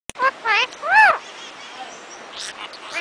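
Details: Parrots talking together and kissing: a few quick harmonic chattering notes, then a longer arched, rising-and-falling voiced squawk, followed by quiet background with faint soft calls.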